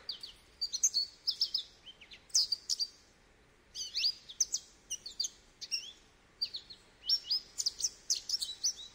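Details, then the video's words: Goldfinch singing in phrases of rapid high twitters and chirps separated by short pauses. "Goldfinch Bird Sounds"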